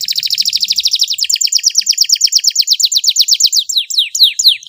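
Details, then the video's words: Canary master song, long and richly varied: a fast bright high trill slowing into strong slurred notes, ending with separate sharp descending chips, while a man's voice repeats words afterward. "MASTERAN KENARI FULL TEMBAKAN PEDES CENGKOK MEWAH DURASI PANJANG"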